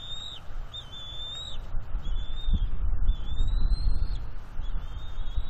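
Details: A juvenile bald eagle chitters while mantling fish on its northeast Florida nest, April 19, 2021. It gives thin, high, slightly rising whistles in quick uneven succession over strong low wind noise.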